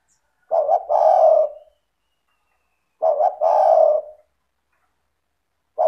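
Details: Actively calling spotted dove, a lure for doves reluctant to call: deep hoarse coos starting with two short stuttered notes and ending in a long sustained note, about every two and a half seconds, with a third phrase beginning at the end.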